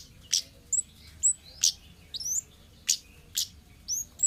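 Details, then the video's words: Orange-headed thrush from the wild, recorded as lure material: sharp, high chips alternate with short, downslurred whistles, roughly two notes per second, loud and clear against faint background hiss. "suara burung Kemade ngalas"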